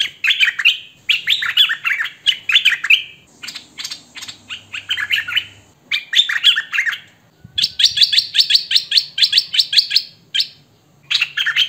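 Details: A long hwamei song sequence: rolling whistled phrases, a stretch of fast buzzy chattering, then a quick, even run of bright repeated notes before the warbling resumes. Recorded by phone or camcorder.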